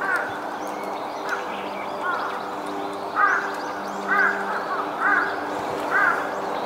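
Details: A flock of rose-ringed parakeets feeding on tree fruit in a forest park on 30 January 2023; harsh, rolling kyuru calls repeat about once a second over steady hum and distant background noise.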